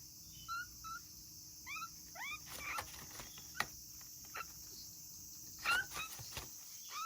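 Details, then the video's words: At a breeding facility, a solitary African grey parrot chick born in August 2020 calls as though lonely. It gives short rising whistles in quick pairs and triplets, mixed with sharp clicks, knocks and rustles, over an even background hiss. "とても鳴き声が可愛い2020年8月生まれのヨウムの雛 African Grey Parrot"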